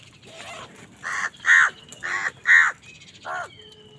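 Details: Angry crow fighting other birds for food, giving five loud, harsh caws roughly every half second, followed by a thin whistle from another bird.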